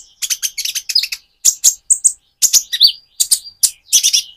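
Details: Van Hasselt's sunbird, still in spotted immature plumage, delivers a lively song meant to provoke another bird: bright, dense chips in grouped bursts with short pauses and one wavering mid-pitched note.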